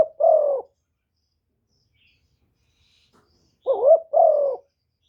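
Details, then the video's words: A caged-decoy-style spotted dove call used to lure wild doves: the tail of one falling coo, a pause of about three seconds, then a full phrase of quick rising notes and a sustained falling end note. "TIẾNG CHIM CU GÁY 1 HẬU RÒNG BỔI CỰC GHÉT, CU GÁY KÍCH BỔI CỰC CHẤT"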